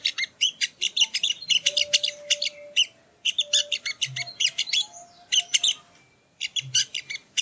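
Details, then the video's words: Crimson sunbird (sogo ontong) song used as training audio: vigorous, high, staccato chirping in long phrases, with a faint steady lower tone and short silences between the phrases. "Masteran Burung Sogon ( Sogo Ontong )"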